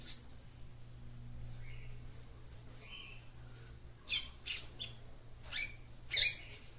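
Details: Female seedeater calling to excite a male: a sharp high tweet, soft lower whistles, then a string of short buzzy chips spaced about half a second apart, over a steady low hum.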